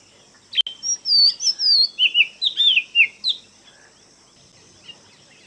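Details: Oriental magpie-robin from Kerala singing: a sharp opening note, then a rapid run of varied clear whistles that slide up and down. It ends with a short faint note over a steady high hiss.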